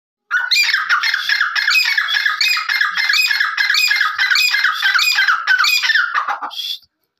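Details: Grey francolin in Rajasthan, India, giving a loud, harsh, ringing call of quick repeated phrases, roughly one to two per second, kept up without pause for several seconds.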